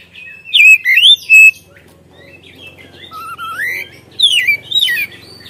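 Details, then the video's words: White-rumped shama, a caged songbird, sings loud varied whistled phrases with rising and falling slurs and quick trills, mixed with mimicked notes from other birds. "Kacer Gacor Ngeplong Full Isian Suara pedas"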